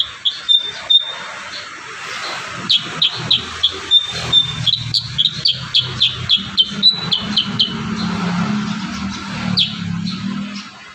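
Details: Kurincang singing steadily as training audio for other birds, a long series of quick high chirps and whistled notes, roughly three to four per second, over a low rumbling background.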